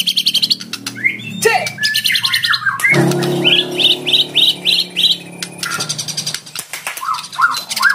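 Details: Lure song of a fighter white-rumped shama inviting a rival to sing; rising whistles and scratchy notes, a low humming sound, then a steady series of short repeated upslurred whistles.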